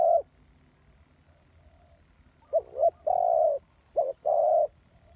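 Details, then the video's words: Spotted dove kept as a trapping lure. It gives a coo, a pause, then a full phrase of two short notes and a sustained coo, followed by another paired note and a long coo. "Suara Tekukur Pikat"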